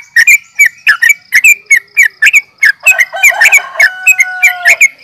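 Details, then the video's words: Yellow-vented bulbul in a fighting call used for luring: quick sharp chirps, then a denser, richer passage mixing chatter with sustained whistled tones toward the end. "trucukan gacor NGGARUDA UPLIK TARUNG"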